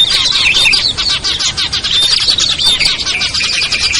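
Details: Lure call mix of small birds, including ciblek, kutilang, trucuk, sogon and perenjak, played to draw birds down: rapid, rhythmic bursts of high chirping pulse steadily, with occasional short clean whistles over the busy twitter.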